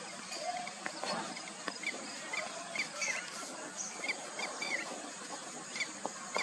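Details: A bluethroat at Doddenekundi Lake, Bangalore, in February 2022, gives short, thin chirping notes at irregular intervals under a constant hiss of insects and distant background noise.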